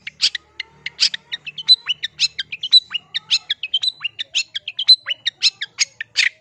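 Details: Cendet delivering gacor song with isian: a continuous, varied sequence of thin whistles, chips and upward slurs, quick and irregular, over a faint low hum.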